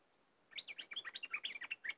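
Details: Cream-vented bulbul giving a fast, continuous chattering warble of tumbling notes, heard more softly, with a steady high ticking pulse running behind it.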